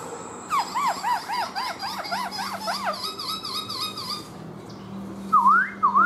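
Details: Kept black-throated laughingthrush in a singing-and-dancing display, tail spread like a fan, pouring out looping rising-falling whistles about twice a second, then a faster run of wavy notes and two loud upswept whistles near the end.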